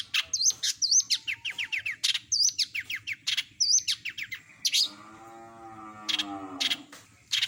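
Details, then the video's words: Long-tailed shrike (cendet) with a full imitation repertoire: looping whistles alternate with series of down-slurred notes, then a low, drawn-out harmonic wail follows, with scattered high chips near the end. "Masteran burung CENDET gacor isian lengkap kompilasi jos suara jernih"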